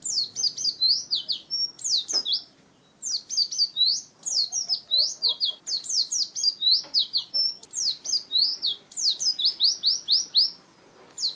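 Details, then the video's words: Oriental white-eye in ngalas wild-type song, delivering long strings of very high, thin, down-slurred twitters in bursts, with a couple of silent breaks between phrases. "Suara Burung Pleci Ngalas Burung Kacamata Durasi Panjang"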